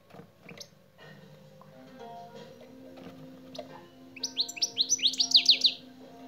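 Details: European goldfinch (saka kuşu) song lesson featuring the şak şak phrase: after about four seconds of faint background hum and tones, a fast burst of roughly a dozen sharp, high, chattering notes rises and falls.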